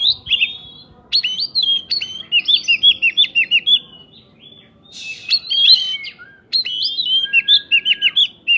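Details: Kacer-style shama song with prinjak phrases, played to make other birds answer quickly; bursts of sharp up-and-down whistled notes in runs, pausing near four and six seconds, one long steady whistle near the end.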